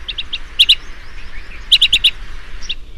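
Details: Blue-tailed bee-eater, an insectivorous bird, heard at dusk giving bright, rolling chirps, a few single notes, then pairs and a rapid string of four, ending with one softer call.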